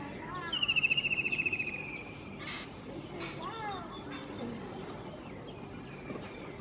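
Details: A White-throated kingfisher singing on a rooftop gives a loud, shrill whinnying trill of about a dozen fast notes that fall slightly over just over a second, followed by faint background noise and distant sounds.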